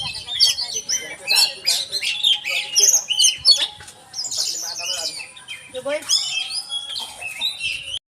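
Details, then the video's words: Oriental magpie-robin in full, energetic song: fast, high-pitched twittering and whistled notes packed tightly together, briefly pausing midway before resuming, over a faint steady hum. "burung Kacer gacor"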